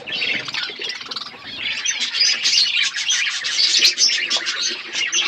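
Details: Several budgies relaxing, busy overlapping high chirps and warbled chatter, steady and dense throughout.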